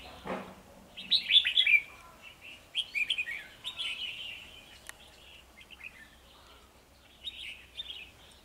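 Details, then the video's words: Red-whiskered bulbuls, two males at a trapping site challenging a decoy bird to fight, 9 December 2020: bright warbled phrases near 2–4k, a dense burst early then scattered shorter chirps, with a dull thump at the start and quiet background. "Bẫy chào mào 2 trống đòi chiến mồi"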